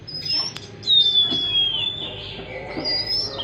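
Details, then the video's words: Oriental magpie-robin song played to coax a stressed, silent bird into singing: long pure whistled notes, one gliding slowly downward, with faint chirps and a steady low background hum. "pancingan kacer stres macet bunyi"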